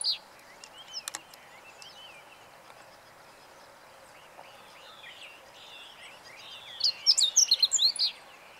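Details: Meadow bunting in song on 20 March 2015. Scattered soft chirps and distant twitters give way to one loud, quick phrase of high, varied, sharply accented notes near the end.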